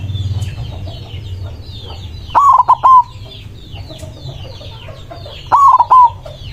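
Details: Loud white zebra dove singing persistently and with excitement to challenge rivals. Two broken, rolling coos roughly three seconds apart, each ending in a held note, over soft chirping from other birds.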